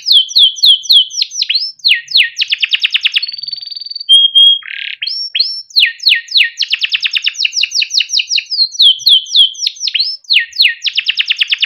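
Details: Long song from a caged male yellow canary in Indonesia, recorded as a tutor for young birds: rapid rolled trills and downward whistled sweeps in varied tours, with a steady held whistle and a short low note near the middle.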